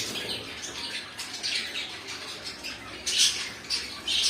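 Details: Scratchy cockatiel squawks from pet birds, soft at first and then louder with sharp shrill calls in the last second and a half.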